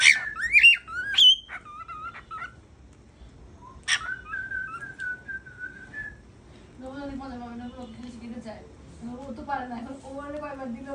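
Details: Visiting pet cockatiel, said to say its name, giving rising whistled phrases and a long level whistle, followed by a low wavering chattering murmur in a small room.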